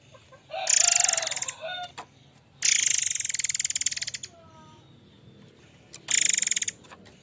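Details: Murai air mancur singing strongly, given as a lure sound for tutoring: three loud, harsh rattling trills of fast repeated pulses, the middle one about one and a half seconds, with faint sliding notes in a gap.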